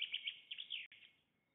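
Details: Black stork at a nest during a feeding and changeover, filmed 24 May 2021 in a Łódź forest district, Poland; rapid series of thin, high chirps and squeaky notes in quick bursts, with a steady faint background tone.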